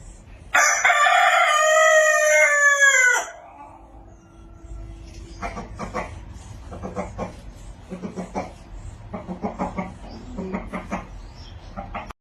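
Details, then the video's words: Rooster on a village farm gives one loud harsh crow lasting about three seconds, followed by softer repeated clucking from hens. "cock sound effect | hen video Farm in village"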